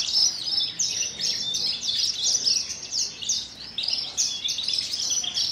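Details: Caged Kulon Progo Javan bush lark pouring out a loud, continuous high song of scratchy chirps and short buzzy trills, phrases pulsing in rhythmic swells.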